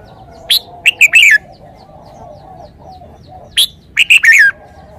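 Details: Red-whiskered bulbul singing the same lively phrase twice: a sharp whistle followed by quick, slurred, falling notes. The two phrases are about three seconds apart, over a soft, steady low hum.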